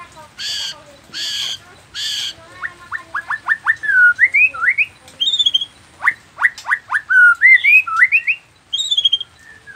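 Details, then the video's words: White-rumped shama of the Nias type, a noktah bird singing gacor with isian mimicry. Three harsh rasping bursts open the phrase, then quick whistled notes and rising slurred sweeps run in a varied, fast sequence. "Murai batu nias noktah gacor isian dengarkan suara ini 30 detik murai batu lain akan nyaut seketika"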